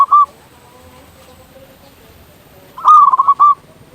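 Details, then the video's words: Local zebra dove in vigorous song, used as a lure to get other zebra doves singing. One short cooing note, then a rapid stuttering run of pulsed coos about two seconds later, over a quiet background. "Perkutut lokal gacor suara paling ampuh untuk pancingan burung perkutut agar cepat bunyi"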